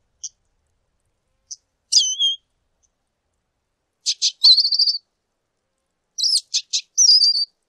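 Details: High, thin lesser goldfinch song: scattered soft peeps, then clusters of sharp chips leading into trilled, wavering whistles, repeated in two bursts.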